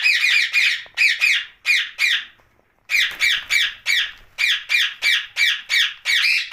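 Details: Rose-ringed parakeet at night, giving harsh, raspy squawks in quick bursts of about three per second, with a short pause partway through before the screeching resumes steadily.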